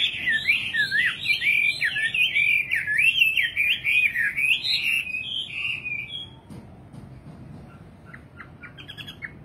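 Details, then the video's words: Rapid, fluid high warbling from a singing nightingale for about six seconds, then near quiet with faint ticking notes at the end. "Singing nightingale. amazing bird song"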